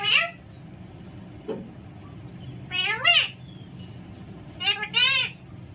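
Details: Playful pet Alexandrine parakeet giving repeated throaty squawks with descending stacked tones, first singly, then in doubled pairs, with a soft knock and faint hum between calls.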